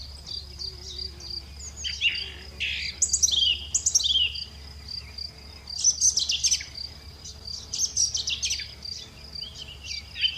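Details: Lovebirds chattering in loud, harsh, high bursts of chirps every second or two, with a constant high whine and a low hum in the background.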